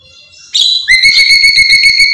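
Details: Black-capped lory, a smart and vocal pet bird: a rising squeal leads into a loud, steady, pure whistled note with a rapid buzzy pulse running through it.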